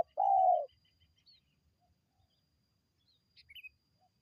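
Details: Spotted dove call used to draw in wild birds: a single smooth, level coo about half a second long, followed by silence and a few faint, high chirps from other small birds.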